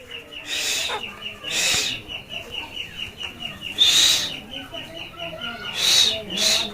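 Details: A pet rose-ringed parakeet talks in harsh, breathy, speech-like bursts about every two seconds, some with a short whistled note, as a person's voice coaxes it to talk and whistle, over a steady high ticking.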